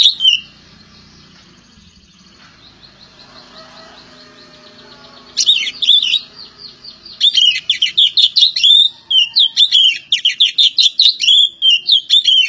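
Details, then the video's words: Oriental magpie-robin (kacer poci), Java: faint background murmur at first, then an energetic stream of sharp, jumbled whistles and chatters repeated rapidly for about seven seconds. "BURUNG KACER POCI JAWA"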